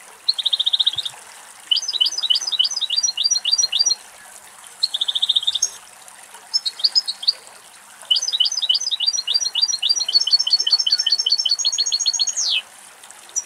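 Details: Male European goldfinch in Greece, singing bright high twittering phrases: short buzzy trills and tinkling chirps in bursts, with brief pauses around one, four and eight seconds, ending in a rising-falling sweep; faint trickling background.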